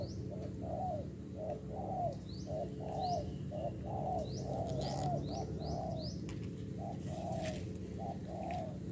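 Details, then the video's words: Spotted dove, a wild-caught 'bổi' bird with 'đồng pha' cooing style, set out as a decoy: soft low rounded coos in short phrases, roughly one per second, with high thin chirps of other birds and steady low background hum. "GÁC CU GÁY .BỔI ĐỒNG PHA .QUÁ ĐẸP"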